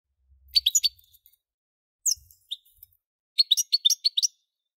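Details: European goldfinch giving clipped twittering phrases, a single sliding note, then a lively run of bright chirps; quiet background.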